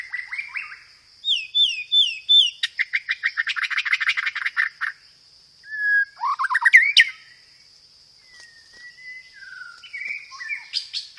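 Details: White-rumped shama song with sparrow-fight fill-ins and rolling roll-tembak material, a tutor recording for other shamas: slurred whistles, then a fast buzzy rattling trill, then sweeping notes and soft whistles over a constant high whine.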